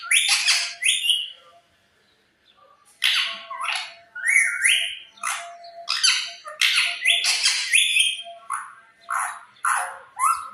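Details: Talking parrot squawking harshly over and over, with rising whistled notes woven in and pauses of a second or more between clusters.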